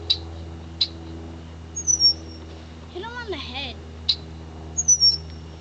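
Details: Female red-winged blackbird aggressively defending her nest against a red-shouldered hawk in the Florida Everglades. Sharp high chips are spaced about a second apart, with thin descending whistles and a brief lower wavering cry midway, over a steady low hum.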